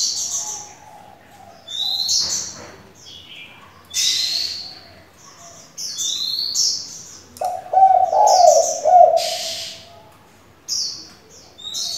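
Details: Spotted dove used as a decoy to provoke wild doves and coach young doves, calling in varied tones; a burst of low, resonant cooing late on, amid frequent shrill, rising whistles and chirps from other birds.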